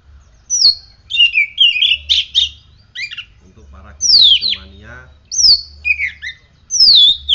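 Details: After morning sun and dew treatment, a caged oriental magpie-robin sings rapidly: high falling whistles, buzzy chattering runs and warbled notes, with a few low vocal sounds in the middle.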